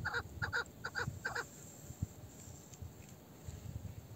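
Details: An old female chukar partridge (meri) with a male-like voice gives four quick, harsh clucking notes in a burst, then falls silent against low background rumble.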